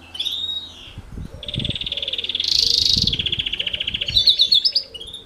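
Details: Hybrid of house finch and canary in morning song training, delivering long fast pulsing trills that climb and drop in pitch, ending in a twittering flourish; a low cooing sound from another bird underneath.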